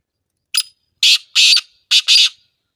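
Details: Black francolin giving its grating call: a brief clipped note followed by two drawn-out rasping notes and a closing double, harsh and broad-toned, heard clearly with no other sounds.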